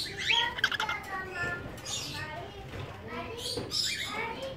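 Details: Two caged cockatiels in their first mating at a Medan breeding farm: dense chattering warbles and short squeaky notes, several overlapping bursts with a louder cluster near the start.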